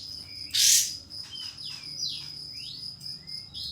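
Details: A pied fantail's song, played to challenge a rival fantail: one loud rasping burst, then long falling and rising whistled sweeps, with a continuous high buzzing insect note throughout.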